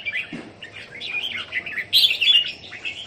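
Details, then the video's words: Kept Red-whiskered bulbuls at a home in Thailand on 27 January 2021: rapid warbled chirps in quick succession, rising into a brief louder scratchy flourish after two seconds. "นกหัวจุก Jambul"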